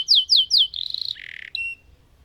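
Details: Lemon canary song snippet: three loud down-slurred whistles followed by a fast buzzy warble and a short thin whistle.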